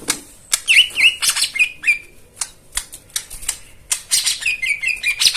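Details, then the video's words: Therapy recording of white-eye song for birds that have stopped singing. Sharp clicking notes mixed with bright, high chirps and short whistled slurs in an uneven, busy rhythm. "Spesial Untuk Jomin dan Macet Bunyi Isian Mewah"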